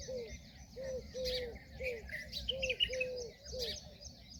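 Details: Indian peahen uttering clipped, downward-curving notes in quick pairs and singles, seven calls in just over four seconds, while small birds chirp and trill higher up.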